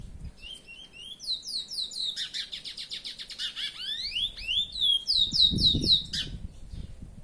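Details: Song of a pet curió, the chestnut-bellied seed finch: loud, rapid, rich warbled phrases of rising and falling whistles, ending in bright descending slurred notes. Some low thumping noise is heard near the end.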